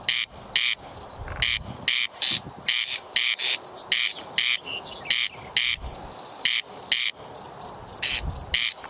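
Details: Corn crake, Bolu, Turkey, recorded away from its living areas: dry, rasping double 'crex-crex', harsh paired bursts repeated steadily over a quiet background.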